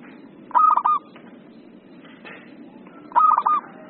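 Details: Two matching phrases from an agitated ('emosi') zebra dove, each a quick cluster of bouncy coos ending in a held note, about two and a half seconds apart. A faint low hum runs throughout.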